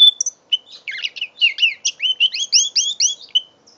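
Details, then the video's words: Five-month-old mule canary opens with a high whistle, then launches into a dense, fast warble of paired chirps and trilled notes that run to the end; phone recording, November 2011. "My 5 months old mule canary"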